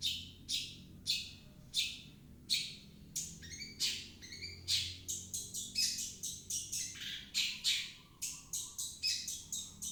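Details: Long-tailed shrike song used as a lure to get a shrike that is reluctant to sing to start singing. Harsh, buzzy chattering notes are repeated in quick bursts roughly every half second, with scratchy high phrases throughout.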